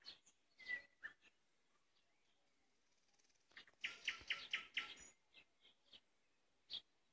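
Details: Common nightingale singing in May: scattered sharp clicks and whistles, then a fast burst of repeated loud trilled notes around the middle, ending with a single clipped note after a pause.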